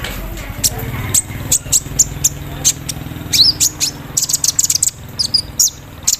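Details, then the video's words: Caged Javan sunbird misted with morning dew, singing hard with a rapid 'embroidery machine' fill: sharp, very high chips and short twittering bursts come in quick irregular runs, with a low background hum underneath. "KOLIBRI NINJA GACOR KELUAR ISIAN MESIN BORDIR SAAT DI EMBUNKAN PAGI HARI"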